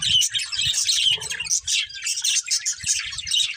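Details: Pet budgies in a family group keep up a busy, overlapping chatter of shrill chirps and twittering warbles, broken by short pauses, with faint low knocking sounds below.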